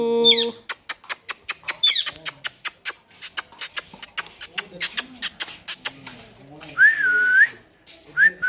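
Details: Long rhythmic series of sharp clicks and pops from a parrot, like tapping, then one long arched whistle and the start of another.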